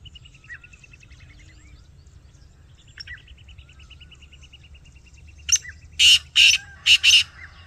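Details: Black francolin calling outdoors: after a quiet stretch with a faint trilling bird and low rumble, four loud, harsh, grating bursts come in quick succession near the end.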